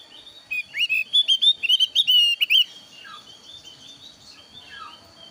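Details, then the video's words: Lure song of a thin-eyebrow Javan grey-throated white-eye, used for trapping and as a tutor for caged birds: a quick burst of sharp, upslurred whistles that stops abruptly, followed by soft, scattered chirps against a constant high whine. "PANCINGAN BURUNG OPIOR JAWA ALIS TIPIS SUARA FARIASI"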